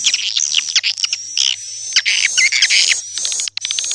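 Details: Swiftlet summoning call: a short stretch of scratchy, buzzy chirps and rasping notes in quick succession, with a steady faint high tone running underneath.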